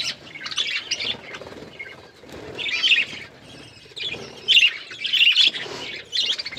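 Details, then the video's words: Pet hand-tame budgies give short bursts of high chattering chirps separated by quieter gaps, with louder clusters of warbled notes toward the end. "My beautiful hand tame budgies birds chirping"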